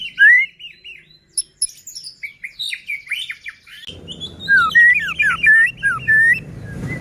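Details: Singing white-rumped shama, played to stir other shamas into song and agitation: a fast varied stream of whistled slurs and chips, rising and falling notes, high twittering overtones, with a low rumbling background entering midway.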